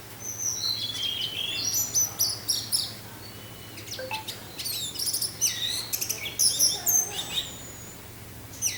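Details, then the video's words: Teler-style singing of an orange-headed thrush for relaxation alongside wind: rapid, varied high chirps, whistles and trills tumbling almost without pause for nearly nine seconds, with a low steady hum. "suara angin dengan suara anis merah teler"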